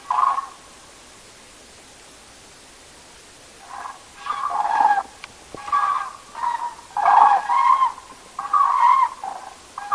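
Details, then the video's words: Night roost gathering of common cranes: silence at first, then a dense run of overlapping trumpeting, rattling calls from several birds, coming in repeated bursts about once a second. "Żurawie / Crane (grus grus)"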